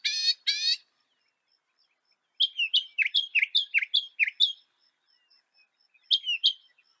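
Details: Northern mockingbird, North America: two harsh buzzy notes open, then a tumbling run of descending chirps and a final pair of notes, with a faint steady high tone underneath.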